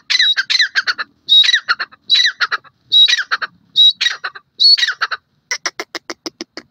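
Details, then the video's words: Francolin (teetar) giving a series of loud, grating phrases, each a shrill opening note and a fast trailing rattle, six phrases at roughly one-second intervals, ending in a run of short evenly spaced clicking notes. "pheasant bird sound,teetar beautifull awaz"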